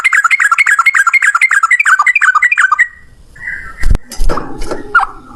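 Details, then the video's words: Yellow-vented bulbul performing ropel, a long one-breath song, at high volume. For nearly three seconds quick rising-and-falling chirps repeat in a rolling series, followed by knocks and a few softer notes. "Burung trucukan gacor ropel 1 nafas panjang"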